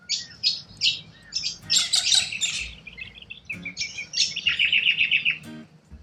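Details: A group of wild corellas in Australia screeching and chattering, with harsh high bursts followed by a fast repeated run of rasping notes.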